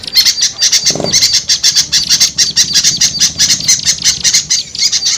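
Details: Small birds in a lure recording to attract small birds: fast, high, repeated chips about two a second in clusters, a busy chatter, with a brief lower thump near the first second.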